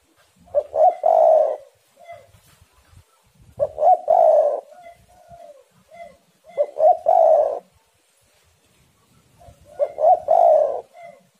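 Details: Rival spotted doves sing intensely in a lure recording to start other doves calling. Four coo phrases come about every three seconds, each with quick stuttered notes, a long rough coo and a soft trailing note; fainter coos sound between.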